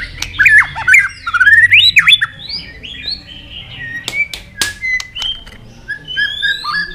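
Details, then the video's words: White-rumped shama in competition singing, delivering a long forest-style song: a burst of loud looping whistles and quick slurs at first, then thinner, fainter high whistled notes with sharp clicks scattered through. "chòe lửa đập đuôi nhấp cầu hót đấu giọng rừng dài"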